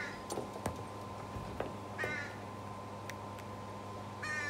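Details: A young American crow loads food into the pouch under her tongue to carry to her sibling, who gives harsh, nasal begging cries in the background: two short bursts about two seconds apart, over a steady low hum and sharp clicks.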